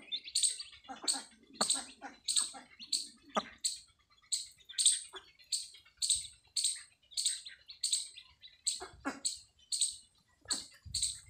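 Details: Newly hatched chicks of a desi hen on a farm peep steadily in shrill, repeated notes, roughly two per second, with a few low clucks and faint scratching early on.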